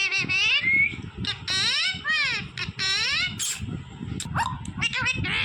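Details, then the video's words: Green pet parrot talking like a human, a run of loud, high, wavering voice-like syllables with rich harmonics that sweep up and down, nearly continuous, over low background rumble and room noise. "smart green Parrot Talking Natural Sounds"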